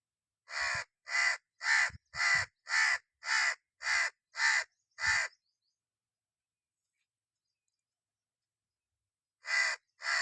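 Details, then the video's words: Red-naped ibis (Indian black ibis) giving a run of nine harsh, nasal, crow-like screams about twice a second, then a pause before two more. "Red-naped ibis (aka Indian black ibis) call"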